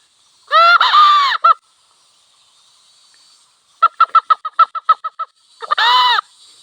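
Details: Red junglefowl, wild cock and hen near a village: a rough, broken crow with a trailing note, a quiet pause, about nine rapid clucks, then another harsh crow. Steady insect hum in the background.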